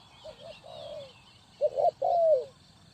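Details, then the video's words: Spotted dove used as a decoy for bird trapping: low mellow coos, two short notes then a longer descending coo, followed by a louder pair of coos and a drawn-out falling note, with faint higher chirps of other birds behind. "Cu gáy Ninh Thuận,นกเขาใหญ่สายต่อดิน,Tekukur pikat,The Sound Of dove"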